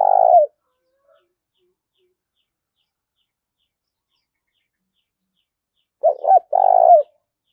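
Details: Spotted dove, a decoy male provoking a rival with hard, insistent calls: the tail of a purred coo, a long silence, then a full phrase of two short notes and a long vibrating coo.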